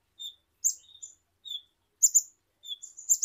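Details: Kolibri ninja sunbird from Indonesia calling with brief high whistles alternating with sharp double chirps, irregularly spaced, roughly one call per second.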